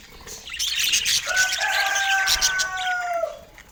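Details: Pet budgerigars chirping: dense, fast, scratchy chatter, with a steady drawn-out whistle-like tone layered through the middle before fading out.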